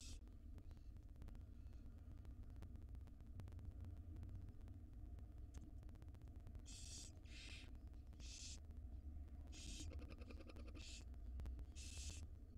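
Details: Wild barn owl nestlings in a nest box while the female feeds them: several breathy, drawn-out hissing screeches, each about half a second, over a constant low mechanical hum and faint ticking.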